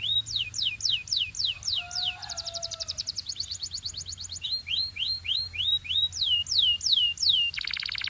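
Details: Canary song of repeated high downslurred notes, a fast rattling roll with a soft low whistle beneath, then rising and falling slurs ending in a dense buzzy trill.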